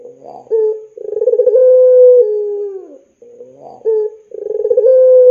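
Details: Long coo of a puter pelung dove, used as a lure to get young doves singing: a short note, then a pulsing roll that stretches into a sustained tone drooping at the end, repeated after a brief gap.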